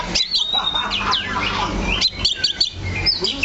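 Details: A kacer (oriental magpie-robin) on its stand gives thin whistles, downward-sweeping notes and quick chirps in a brief, broken phrase over low background noise.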